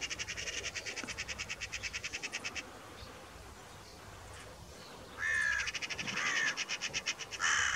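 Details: Carrion crow (Corvus corone), call.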